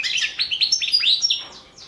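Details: European goldfinch singing for a goldfinch song championship: a quick run of bright rising chirps and slurred notes, fading into softer twitters.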